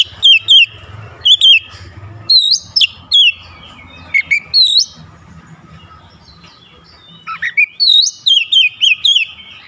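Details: Oriental magpie-robin singing with wide-open beak: spicy bursts of loud looping whistles and sharp high upslurs, grouped in clusters across the recording, one low swooping note near the end, over faint hum.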